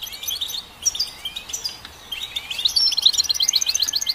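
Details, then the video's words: Goldfinch song: scattered twittering notes at first, then a fast, evenly repeated run of sharp tinkling chirps. "Goldfinch Song"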